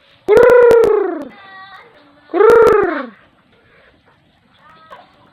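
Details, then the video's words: Pet black-naped oriole (kilyawan) being fed in the Bicol countryside, Philippines, gives two loud, nasal, drawn-out mewing notes that slide downward, about two seconds apart, followed by softer faint notes. "FEEDING | BLACK ORIOLE | KILYAWAN | BIRD"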